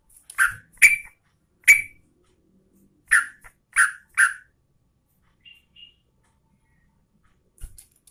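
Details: Yellow-vented Bulbul female calling for a male: six rich, bubbly chirps in two loose groups, followed by faint high notes and quiet.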